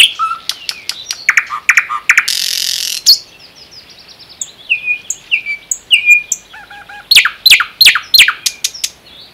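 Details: Common nightingale in full song at the Unzha river floodplain or Kologrivsky Forest reserve: rapid clicking note runs, a harsh buzzy burst, a string of sliding whistles, then a fast stuttering series of loud sharp notes.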